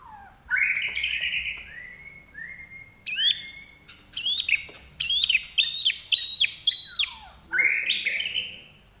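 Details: Vigorous common iora (larwo) song: long bright whistles, then a rapid series of sharp, clipped chirps repeated about every half second, ending in a loud falling whistle.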